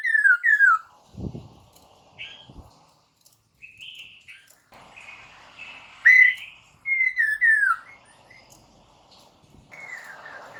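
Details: Lure recording of white-crested laughingthrush song for prompting kept birds to reply: bursts of loud descending whistles at the start, middle and near the end, separated by quieter warbling notes and a couple of knocks.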